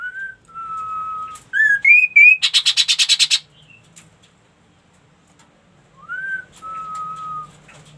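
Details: Ashy tailorbird in lively song gives steady whistled notes, climbing slurred notes, then a fast run of about twelve harsh buzzy pulses. After a pause, a rising whistle and a long level whistle return.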